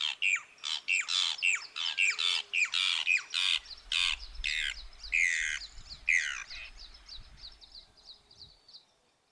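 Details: Brown Cacholote song recorded in Argentina: a fast run of raspy, grating notes that slows into louder, spaced calls, then fades into thin, faint chips.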